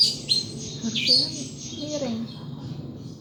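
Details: Pet thrush in a cage, in full song: quick high chirps and squeaky notes crowd the opening second, then fade while a low human voice murmurs in the background.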